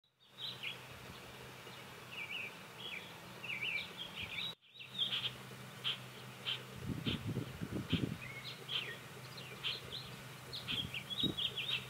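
Short, chirpy, warbled phrases, high and repeated every second or so, with a brief break partway; low rumbling thumps and background noise run underneath.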